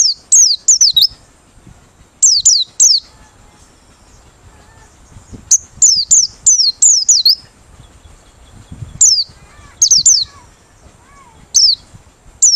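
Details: Lure song of a Merapi white-eye singing with open beak: repeated groups of two to four piercing, high, downward-sliding notes, grouped tightly and spaced by short silences across the recording.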